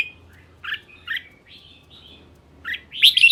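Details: Red-whiskered bulbul singing in the Tê Rơm Dị style: short, quiet, slurred whistled notes spaced out, ending in a louder bubbly burst.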